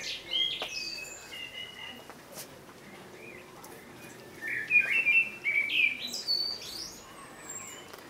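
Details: Common blackbird (Turdus merula) delivering a quiet whistled phrase, a long pause, then a louder run of fluted, sliding notes ending in high thin squeaky twitters.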